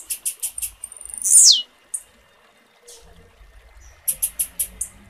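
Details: A blue-black grassquit female's call meant to stimulate a male to sing: rapid very high ticking chirps, a loud high whistle sliding sharply downward, a pause, then another run of five quick chirps.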